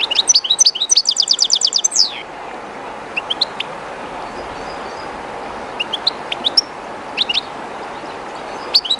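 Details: Goldfinch, one of a keeper's birds, singing close to the flowing water of the Jerte river, somewhat shy in an unfamiliar place; a rapid run of bright twittering notes, then scattered high chirps over steady rushing water.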